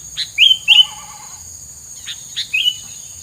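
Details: Bird's filler song meant to keep rivals away: loud, sharp, slurred chirps in small bursts with gaps between them, a soft lower trill underneath, and a steady high hum throughout.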